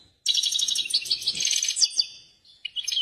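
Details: Excited European goldfinch singing: a short burst of rapid, high, tinkling twitters and buzzy trills that ends with a few separate chirps after a brief pause.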